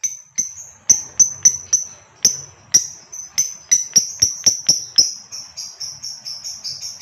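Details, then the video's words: ['Female fighter lovebird calling a male to sing long chatter. A fast run of sharp, clicking ticks with thin high tinny notes, about two per second, pressing on steadily without pause.'] "SUARA LOVEBIRD FIGHTER BETINA,jitu merayu memangil Lovebird jantan agar bersuara ngekek panjang"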